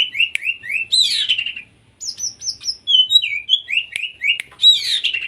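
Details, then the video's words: Konslet-style song of an Oriental magpie-robin, meant to stimulate untrained or mute birds to sing: a string of short, slurred whistles and harsh chattering notes, a one-second pause, then more rising and falling whistled phrases. "burung kacer konslet cocok untuk memancing kacer bahan atau bisu"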